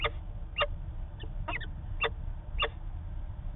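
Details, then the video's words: Peregrine falcon calling in Manchester, New Hampshire, on 19 September 2018 during a long exchange: short harsh clipped notes repeated roughly every half second over a low rumbling background. "Peregrine Falcon Long Discussion"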